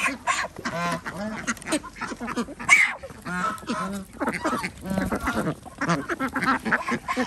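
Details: Ducks at feeding time on an organic village duck farm in Andhra Pradesh, India, giving a busy stream of overlapping nasal quacks, some short and some drawn out, with human voices mixed in.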